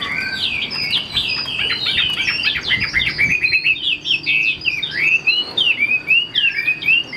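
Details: Captive Chinese hwamei from a bird seller pouring out a fast stream of bright whistles and slurred notes, swooping phrases repeated in loose series across the whole stretch, with a faint constant tone behind.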